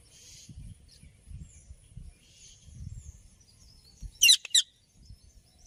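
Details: Ringneck parrot: two sharp, shrill screeches close together near the end, over a quiet background of low rustling noise.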